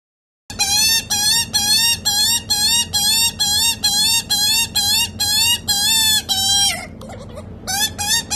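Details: Young rescued Australian magpie begs insistently at feeding time: rapid run of loud, buzzy, upslurred squawks, roughly twelve in a row, briefly breaking into gurgled notes before resuming.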